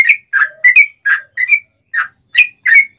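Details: Sooty-headed bulbul singing a clear, sharp song used to lure wild birds: slow, spaced whistled notes, some falling, some upslurred, with short pauses between them.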